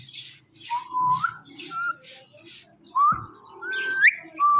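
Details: Ringneck parrot kept as a pet, talking at a phone and watching itself, gives several short whistled notes that rise in steps, ending in a higher upward-sweeping whistle, with light clicks between.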